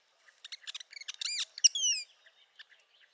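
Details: Northern parula song in spring, a short phrase of quick high notes speeding up into a buzzy rising stretch, topped by a sharp piercing note and a few falling slurs, then scattered soft chips.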